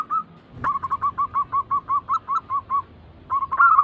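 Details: Zebra dove, perkutut, kept birds used as a lure to prompt others to coo; a steady run of about fifteen short, evenly spaced clear notes, then a pause and a fresh burst.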